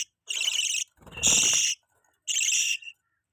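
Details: Pet budgerigars feeding a chick: three harsh, buzzy chirps of about half a second each, the middle one louder and overlaid by a low rustling scuffle.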